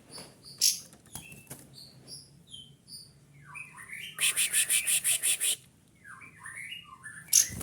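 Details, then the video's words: Kapas tembak white-eye, a caged bird calling loudly to seek a rival and spreading its tail: quick thin descending chirps, high and mid-pitched, with a rapid even burst of sharp pulses midway and scattered clicks. "kapas tembak emosi bersuara lantang mencari lawan"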